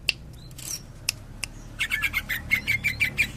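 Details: Greater green leafbird, Cililin, singing in the tembakan or kapas tembak style: after scattered faint ticks, a fast run of short, bright, high chirps fires off in quick succession and continues to the end.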